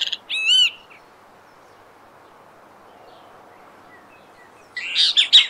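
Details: Great kiskadee in nature in Brazil: one loud arched, harsh note at the start, a long quiet stretch, then a rougher cluster of notes at the end.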